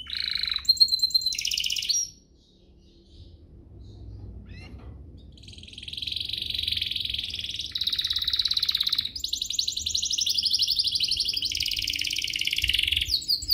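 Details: Canary song played to provoke other canaries: a loud burst of rapid trills, a quiet pause of about three seconds, then long continuous rolling buzzy trills shifting pitch several times.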